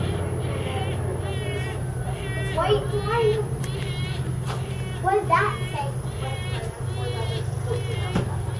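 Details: A begging juvenile wood stork in Jacksonville, Florida gives bursts of nasal, childlike squealing calls in two bouts, rising and wavering, over a steady low engine-like hum.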